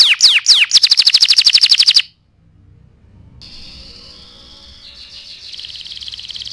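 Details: Canary song meant as a master for tutoring other birds: sharp down-slurred notes and a fast high trill, a brief pause, then a softer, wavering trill building again.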